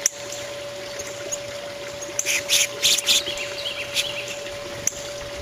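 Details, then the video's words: Fussy chipping sparrows, apparently including a young one, recorded 04-07-2013, give short, high, dry chips in a loose cluster over a couple of seconds, against a steady low electrical hum. "Fussy chipping sparrows"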